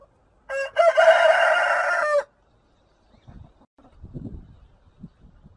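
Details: Rooster crowing cock-a-doodle-doo: one loud, harmonic-rich crow of about a second and a half, a brief lower note then a long sustained note. Faint low clucking and soft rustles follow after a pause.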